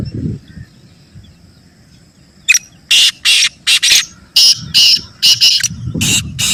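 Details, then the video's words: Black francolin (kala teetar) calling: after two seconds of quiet, a rapid run of about ten harsh, rasping broadband notes, each roughly a quarter-second long, delivered in uneven bursts. Faint low rumble underneath. "یہ آواز کالا تیتر کی سپیڈ بڑھائے اور بے ڈر بنائے | Black Teetar Voice For Speed & Fearless Calling"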